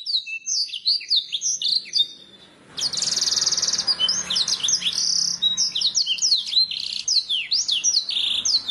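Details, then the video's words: Canary singing, recorded as training to make birds sing: fast chirps and slurred whistles, a short pause, then a dense buzzy trill and a long run of varied down-sweeping high notes. "Suara burung kenari masteran ,langsung nyaut"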